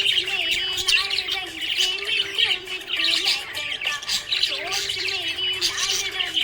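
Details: Happy budgerigar chirping: a dense, continuous stream of high chatter, squeaks and warbled notes with no pauses, over a steady low tone.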